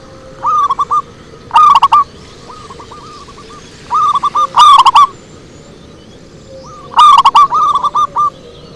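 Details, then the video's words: Zebra dove lure song with three loud phrases of rapid rolling coo notes about every two to three seconds, each preceded by quieter cooing from other doves nearby. "Suara Merdu PIKAT PERKUTUT"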